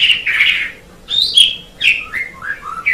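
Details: Short stretch of Asian pied starling song, a recording meant for training songbirds: a husky note, a pause, then whistles and falling, gurgling notes.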